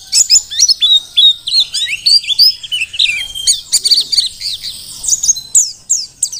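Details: Merapi mountain white-eye of the Dakun kind, wild-caught and used as a tutor bird, pouring out a long, busy, high-pitched warble of quick chirps and slurred whistles, with only brief pauses.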